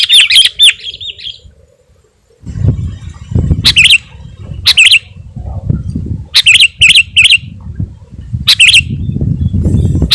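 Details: Sooty-headed bulbul singing gacor to attract wild birds and provoke rivals: an opening bubbly phrase, a quiet gap, then separate short whistled phrases including a quick triple, over low rumbling noise.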